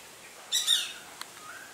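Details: Greater racket-tailed drongo, an expert mimic, copying Shikra, Rose-ringed Parakeet and Treepie calls: one loud, harsh, screechy note under half a second, then a sharp click and a faint, thin slurred whistle.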